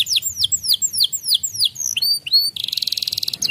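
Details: Singing white canary said to provoke other canaries: a string of descending whistled sweeps, a few upward-sliding whistles, closing with a fast, buzzing trill.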